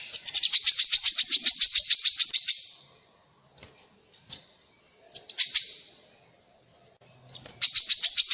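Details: Grey-cheeked bulbul, song used to provoke answers from other birds: a long, rapid string of high chirps, then sparse isolated notes and a short burst, ending with the quick chirp series.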